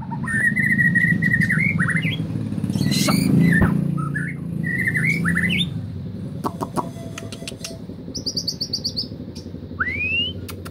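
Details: Male white-rumped shama singing a canary imitation: a run of level whistled notes ending in rising slurs, then sharp clicks, a rapid high trill and a final rising whistle, all over loud low rumbling background noise.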